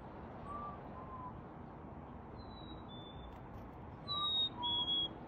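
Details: Black-capped chickadee in a backyard in NW Calgary, Alberta, at 6 pm on 28 February 2021, gives two clear, pure whistled phrases, each a high note dropping to a slightly lower one, against a steady background hum.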